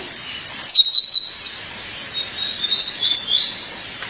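A female violaceous euphonia calls to her mate with a quick burst of thin, very high chirps, then softer scattered twitters over a faint steady hiss.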